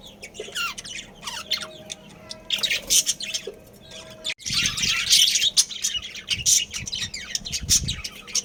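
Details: Breeding colony of budgerigars chirping and chattering, quick high ticks and scratchy warbles from several birds, with a steady faint tone in the middle and louder overlapping chatter later.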